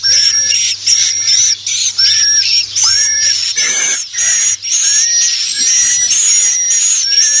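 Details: Swiftlet lure sound intended to attract swiftlets: shrill, whistled chirps in rapid bursts separated by brief pauses, some sliding upward, layered over a steady high ringing tone and a low hum.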